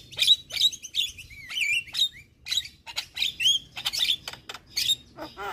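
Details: Javan myna chattering: sharp squeaky notes, rising whistled slurs and harsh bursts in an uneven series, ending with a quick descending trill.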